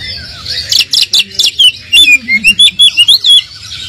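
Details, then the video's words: Oriental magpie-robin song played as a lure to provoke a less-excited bird into replying: a rapid run of rising and falling whistled notes, about two per second, after a burst of scratchy high chatter. "pancingan kacer kurang emosi,dijamin langsung nyaut"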